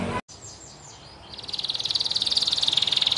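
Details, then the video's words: A canary sings a fast, bright, high trill rolling at a steady pace, after a few softer swooping notes open the phrase. "Best Canary Singing - Very strong canary chants"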